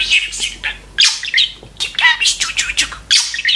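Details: Budgerigar kept as a talking pet, pouring out harsh squawks, scratchy warbles and quick chirps in a dense, fast-paced chatter, recorded indoors with a faint low hum.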